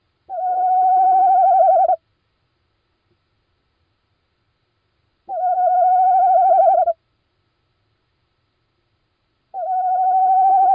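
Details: Little owl calling at night on 17 March 2016 at 01:56: three drawn-out, slightly wavering hooted notes of about one and a half seconds each, spaced roughly four seconds apart against a silent background.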